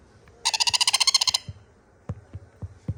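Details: Sun conure chicks begging for extra food: one loud, rasping chatter of about a dozen fast pulses lasting under a second, then a few dull taps and bumps.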